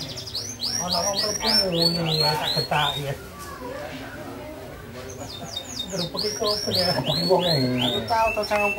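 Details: Singing canary: two long bursts of fast, repeated downward-sweeping notes, about four per second, separated by a short quieter pause and ending in rolling trills.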